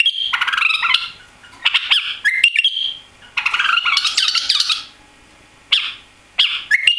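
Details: White-eared bulbul, new arrival without a tail after travel to Europe, delivers scratchy chattering bursts mixed with brief whistles, separated by silent gaps of about a second.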